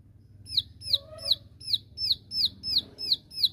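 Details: Bar-winged prinia (ciwah) giving its 'tembakan' shooting song to call out rivals: sharp downslurred high notes repeated about three times a second, steady throughout, over a low background hum.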